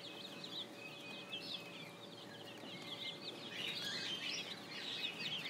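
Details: Spring chicks chirp quickly in high, thin notes over a soft background hum. The chorus grows busier and louder toward the end.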